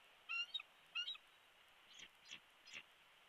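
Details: Wild bald eagle at its Big Bear Valley nest, where one chick has hatched, on a live camera, 21 March 2022 at 12:45: two loud, harmonically rich squealing calls, then three softer, breathier notes about a third of a second apart.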